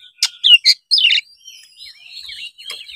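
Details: Brief burst of Oriental magpie-robin song, a lure for lazy young birds: a few bright, sharp whistled notes and a falling slur, then quieter warbling trailing off.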